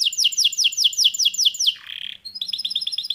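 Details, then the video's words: Canary song of quick falling chirps, a brief low slurred note, then a faster high trill of repeated notes. "Il più velocemente si estende, stimolando il suono delle noci"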